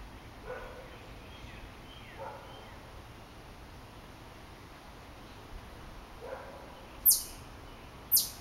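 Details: A distant Acadian flycatcher in Macon, Georgia, on 12 May 2014, gives two sharp, explosive high notes about a second apart; fainter, lower sweeping calls, possibly Northern Cardinals or a chipmunk, and steady outdoor hiss underneath.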